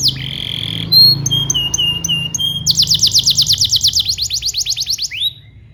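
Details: Canary singing as a tutor for young birds learning to sing: a held whistled tone, then clipped staccato notes, then a loud rapid roll of falling chirps that slowly loses speed before ending.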